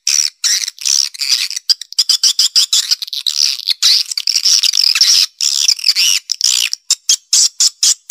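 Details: Swiftlet lure sound of the Black Panther type, aimed at a nesting site's central area: loud, dense, buzzy high chirping that comes in short pulses split by sharp silent breaks, faster toward the end.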